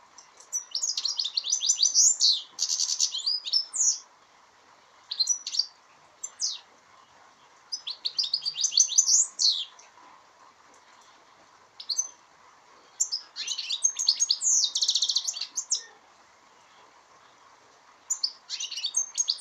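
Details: A European goldfinch at Aspropyrgos, Greece, on 25 March 2015 sings bright, tinkling bursts of rapid twitters and liquid trills, high-pitched and jangling.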